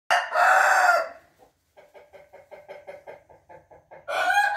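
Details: Rooster crowing, recorded 28 June 2021: a loud, harsh, harmonic crow for about a second, then a run of soft, rapid clucking notes, and a second loud crow starting near the end.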